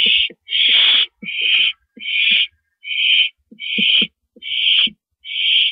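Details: Barn owl nest during a night-time rabbit delivery, 2:42 AM, 7 April 2012; loud, steady rasping screeches repeated a bit faster than once a second, fairly regular, with soft clicks and shuffling in the gaps.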